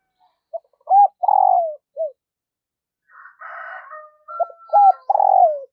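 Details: Decoy spotted dove in daily song practice, cooing to stimulate and train other decoys: two phrases of deep, mellow coos, each ending in a falling note, separated by a louder, harsher call rich in overtones.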